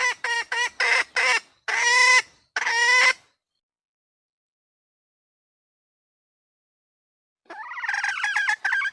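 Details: Female red junglefowl seeking a mate: a quick run of loud raspy notes ending in two drawn-out squawks, a long silence, then a burst of scratchy chattering cackles.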